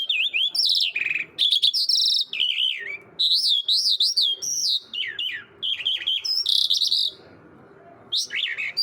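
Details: A bird called Mushadi Irani jal singing a lively, varied song of clear whistled notes, rising and falling slurs, and sharp chirps in quick bursts, with brief pauses between phrases.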